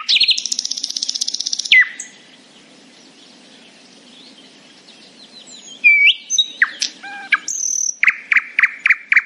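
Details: Nightingale singing happily in the morning: a fast buzzy trill, a gap of near silence, then varied sharp whistled notes and a rapid run of repeated chirps.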